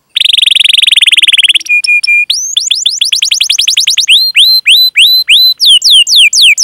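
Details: Canary in full song, a long chirping and rolling training recording meant to stimulate young or silent canaries into singing. A fast buzzy trill opens, then steady whistled notes and a rapid series of rising and falling chirps.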